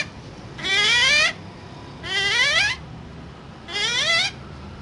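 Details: Talking parrot giving three long, rising, wavering harmonic calls, each lasting about half a second, spaced roughly one and a half seconds apart, like drawn-out meows.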